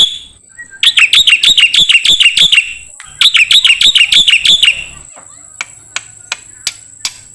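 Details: Song of a black-winged myna meant for training songbirds: two bursts of fast, scratchy chattering notes, followed by quiet scattered clicks and a faint steady hiss.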